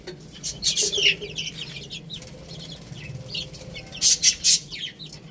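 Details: Chicks eating rice call in quick high chirps, with bursts of loud rapid tapping at the start and again toward the end.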